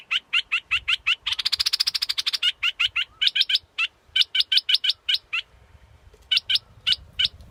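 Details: Scarlet-backed flowerpecker giving sharp, high, clipped notes repeated about three times a second, broken by a fast buzzy trill in the second second, then further spaced ticking notes with a brief pause near the end.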